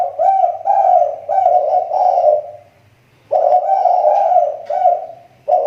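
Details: Spotted dove lure bird, a Riau Islands tekukur recovering its voice. Loud, rhythmic hoarse coos in two clusters of rapid repeated notes, separated by a short silence.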